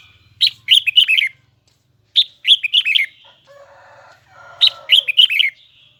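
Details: High, doubled, twisting song of a red-whiskered bulbul of the Huế style: three bright, bouncing phrases of about six warbled notes each. A harsh, low grating sound comes between the second and third phrases.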